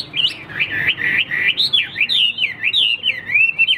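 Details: Hwamei kept in a cage and shown in fighting display sings a continuous fast warble of high looping whistles, rising and dipping without pause.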